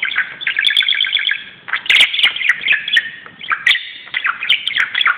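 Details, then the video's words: Budgerigar playing on a closet, delivering loud, nonstop warbling with rapid chirp trills, squeaks and metallic clicks throughout. "grasparkiet doet zottekes op de kast"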